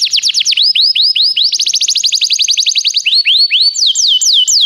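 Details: Canary singing as training material for canaries: rapid falling notes, a series of rising upslurred whistles, a fast even trill, then slower descending sweeps, all high-pitched and clear.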